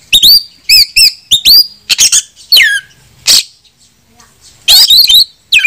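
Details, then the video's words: Oriental magpie-robin song used as a provoking lure to challenge rivals; clear rising whistles and sharp repeated chips in quick groups, then a short quiet gap before more harsh notes and a falling whistle. "PANCINGAN KACER BUKA EKOR"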